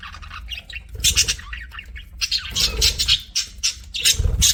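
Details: Chattering pet budgies give bursts of harsh, scratchy squawks and chirps in quick clusters, pausing between bouts, loud and high-pitched throughout.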